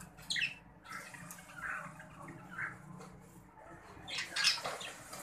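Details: Green budgerigar pair kept for breeding: several short squeaky chirps, a louder harsh burst near the end, with low hum throughout.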